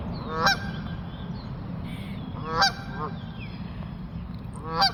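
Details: Three loud, nasal goose honks spaced about two seconds apart, each a harsh stacked blare, as geese fly off, over a constant low hum.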